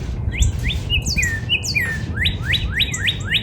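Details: Northern cardinal in a spring backyard gives a short burst of clear slurred whistles, a few falling notes followed by quick rising ones repeated roughly four times a second, against low background rumble.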